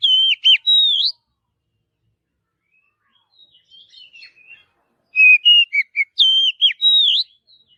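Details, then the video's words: Oriental magpie-robin in forest, natural song: bursts of loud looping whistles and sharp slurred notes, a soft scratchy twittering phrase in the middle, then a rapid run of varied whistled notes. "Kicauan Kacer Alami Di Hutan"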